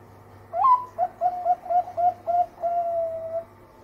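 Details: Melodious lure song of a Bangkok-type zebra dove, used to prompt other doves to sing: a bright upslurred opening coo, six evenly spaced short coos about a quarter second apart, and a long level closing note.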